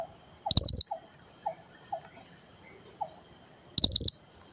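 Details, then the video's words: A lively blue-crowned hanging parrot (serindit) calling as a lure to rouse sluggish companions into joining the noise: two shrill, very high, rapid bursts of calls about three seconds apart, over a steady insect-like hiss with faint soft chirps. "Serindit Gacor pancing bunyi, ngajak teman yg lagi malas! Ikut ribut"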